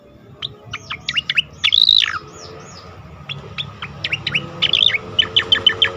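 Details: Asian pied starling singing as training material for competition birds: mixed falling whistles, a long bright warble, then steady repeated sharp chips building in loudness.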